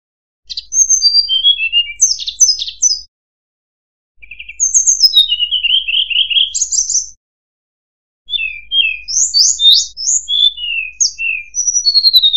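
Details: A Sunda robin gives three bursts of varied song for training white-rumped shamas: whistled slides, rapid chirps and sharp high sweeps, each burst a few seconds long and separated by silence.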